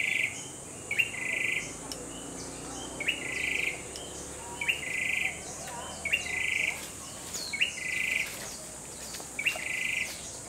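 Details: Grey-backed tailorbird song: a long series of about eight short trilled phrases, each introduced by a sharp rising note, coming every second or so, with faint other chirps and a continuous high insect hum.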